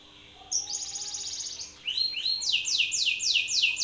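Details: Fierce Belgian canary male calling out an opponent with song: a quick buzzy roll, soft rising notes, then a run of loud, evenly spaced descending sweeps.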